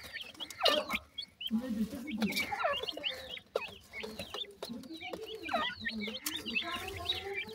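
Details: Young grey francolins fed homemade food and termites; excited, overlapping high-pitched chirping from multiple chicks, bursts of rapid notes and occasional low voice.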